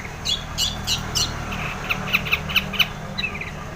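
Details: Long-tailed shrike in song, used to encourage quiet shrikes: soft, scratchy high notes, then a burst of clear, sharp chips repeated several times a second, against a noticeable low hum.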